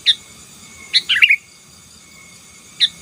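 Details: Sooty-headed bulbul gacor song for dominating rival birds: isolated sharp whistled notes framing one fast chattering phrase, with a faint constant tone behind.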